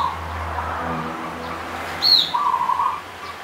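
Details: Punden-type local zebra dove singing near Mount Slamet, Banyumas: soft cooing early on, then one loud, fast, rolling trill lasting under a second. A high, slurred chirp from another bird comes just before it.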